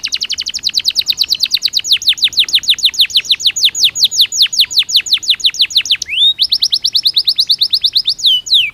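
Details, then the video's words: Belgian canary singing naturally, a long run of rapid repeated sweeping notes, slowing slightly, then a higher steady trill and a final rising whistle. "Som de 1 Hora com Canario Belga Cantando Naturalmente"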